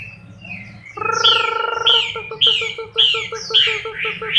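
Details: Moulting Chinese hwamei, October 2015: a low buzzy hum gives way to a run of loud downslurred whistles repeated about every half second, each followed by short low pulses.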